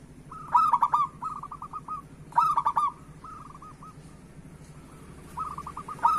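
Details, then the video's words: Local zebra dove singing, used to prompt lazy doves into song and as therapy for moulting birds: three rolling, purring coo phrases about two seconds apart, each trailing into a row of softer clipped notes, over a low steady hum. "Perkutut Lokal Gacor Suara Pancingan Burung Perkutut Paling Cepat Bunyi"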